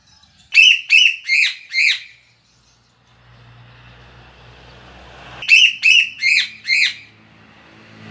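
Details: Loud bird song recorded for use as a training recording: two bursts of four sharp, high, descending whistled notes, separated by a quiet stretch with a low engine rumble.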